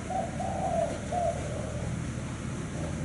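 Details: Spotted dove, said to coo often, in the 'thái hậu 5' style: a short phrase of three or four mellow, low coos, the later notes fading, with constant low background hum.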